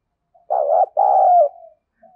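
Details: Spotted dove used as a decoy, its gruff thổ sấm voice taunting wild doves: a single hoarse two-part coo, short then long and trailing downward, preceded and followed by soft low notes.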